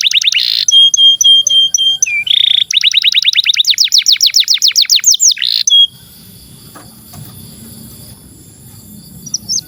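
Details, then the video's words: Canary in nonstop song, played as a tutor for young or silent canaries: a buzzy burst, evenly spaced pipped notes, a rapid series of strokes, then near quiet with faint background noise. "SUARA BURUNG Kenari GACOR PANJANG INI Cocok untuk Masteran KENARI PAUD dan Kenari Macet BUNYI"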